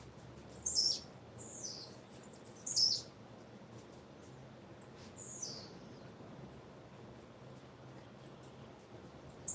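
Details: Call of a female blue-black grassquit: three high, sharp descending chirps within the first three seconds, one more near five and a half seconds, then only faint peeps over low hiss.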